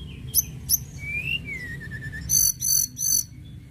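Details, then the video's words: Sunda robin, called tledekan gunung, in lively song: high sharp chips near the top of the range, a slurred whistle falling then rising, then three loud buzzy trilled bursts; low background hum throughout. "TLEDEKAN GUNUNG GACOR"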